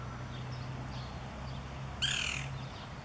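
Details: A Green-barred Woodpecker (Colaptes melanochloros) at Campina Grande, Paraíba, Brazil gives a single harsh, squawky call that drops slightly in pitch and lasts about half a second, over a low background rumble.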